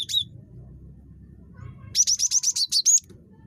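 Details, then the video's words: Chatty cinereous tit (gelatik batu) giving a single high note, then after a pause a rapid, evenly spaced run of about nine high, squeaky notes, over a soft low hum. "GELATIK BATU SUPER CREWET"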